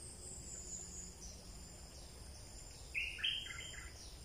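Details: Bulbul in the wild during breeding season, recorded near evening: one brief phrase of rich, liquid whistled notes that rise then slide down, standing over continuous high-pitched insect buzzing.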